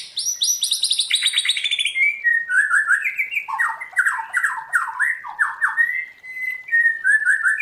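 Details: White-rumped shama giving forest-style song (giọng rừng): it opens with a rapid, high, shimmering trill that falls in pitch, then shifts to lower whistled phrases with abrupt downward slurs, sung continuously.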